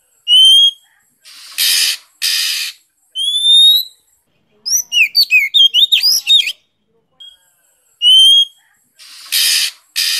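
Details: Oriental magpie-robin singing to stimulate other birds: clear rising whistles with harmonics, short harsh broadband bursts, then a rapid tumbling chatter of varied notes before more whistles and harsh notes.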